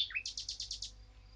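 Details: Eurasian blackcap giving a short phrase: a couple of slurred notes, then six quick bright repeated notes in a rapid even series, with a steady low hum behind.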